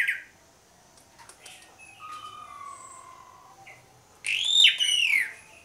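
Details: Asian pied starling singing as a lure for other birds: soft scattered notes and a long low whistle, then loud ringing arched whistled notes with rich overtones closing the phrase.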